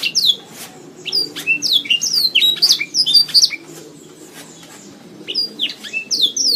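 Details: Canary singing, a recording used to train caged songbirds: rapid high chirps and downslurred whistled notes in quick bursts, a quiet pause near the middle, then more twittering; faint low hum beneath.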